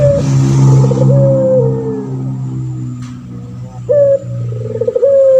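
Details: Male puter pelung turtle dove, in full voice as a tutor to prompt other doves to answer. Repeated coos with a quavering roll and a long descending tail, a deep steady hum underneath and a click in the middle.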